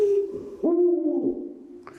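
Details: Eurasian eagle-owl, described as heard on winter nights at rocky cliffs, gives deep, hollow hoots, a brief low note then a longer drawn-out one that holds steady and fades, played back indoors.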